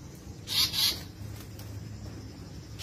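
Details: Two quick rasping, buzzy notes from an Asian paradise flycatcher, locally called tali pocong or seriwang, followed by quiet background noise.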